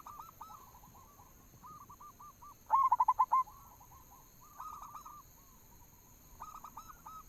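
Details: A lure song from a local zebra dove, used to get birds singing: one loud burst of about six fast, rolling coo notes, with quieter cooing phrases before and after.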